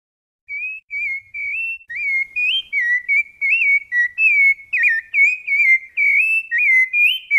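Rufous-bellied thrush singing clear, fluted whistled phrases, each slurring up or down, delivered almost without pause for about seven seconds; no other sounds.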